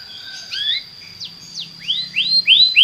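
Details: Belgian canary song meant to make other canaries sing: after a quiet start, a string of rising whistled sweeps that grows louder toward the end, with a faint steady high tone held in the background.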